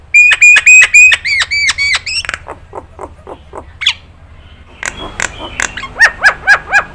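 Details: Nias hill myna used as training audio for other birds: a rapid string of loud ringing harmonic notes, then softer repeated calls, a lone rising whistle, and a final series of evenly spaced bright whistles.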